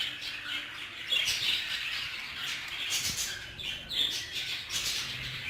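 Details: Several budgerigars of the Hogoromo type in an aviary, squawky chirping and bright warbled notes repeating in quick succession over a constant chattering background.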